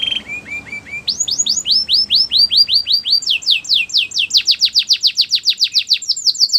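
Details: Singing canary for training a quiet bird to sing again: soft low chirps, then loud repeated sweeping whistles, speeding into a very rapid high chattering trill toward the end.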